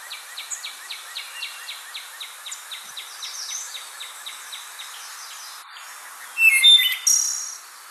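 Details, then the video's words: Wood Thrush song: a loud, fluty phrase ending in a shimmering trill, after a long run of rapid, high, evenly repeated notes in the background. "This is a wood thrush singing."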